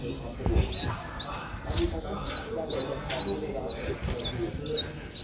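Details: A seven-day-old Streak-eared Bulbul nestling, just opening its eyes, in Ubon Ratchathani, Thailand, on 9 April 2023, gives thin, high, upslurred squeaks, roughly two a second, over low rumbling and handling noise.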